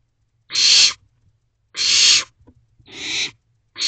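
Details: Young owls calling from a nest box in the early morning darkness of 28 May 2023, giving loud rasping hisses, three full bursts and the start of a fourth, spaced roughly a second apart.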